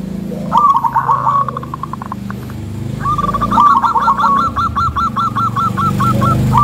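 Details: Local zebra dove (perkutut) with a thick, rhythmic, soothing voice, said to stir other doves: a rolling trill of mid-pitched coos, then a long series of quick, evenly repeated hooked coo notes with low background hum.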